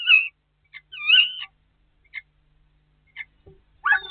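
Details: Common starlings competing for a nest site in March snow, 2019: a sliding whistle, a longer wavering whistled phrase, scattered single clicks, and a harsher rasping burst at the end.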